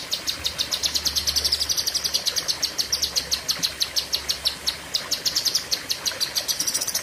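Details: Cucak kinoi leafbird singing long 'pedes panjang' bursts: a continuous stream of rapid, piercing high notes over about seven seconds, with steady rhythm and no other clear sounds.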